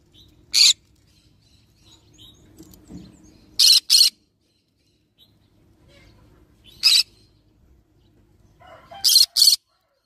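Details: Yellow-sided green-cheeked conure, a pet parrot, giving short harsh screeching squawks in separate bursts, sometimes doubled, with quiet gaps of a few seconds between them and faint low household hum.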